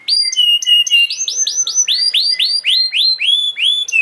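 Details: Canary song to prompt silent canaries into singing: clear whistled notes, then a steady string of loud rising sweeps, about four per second, with faint high overtones.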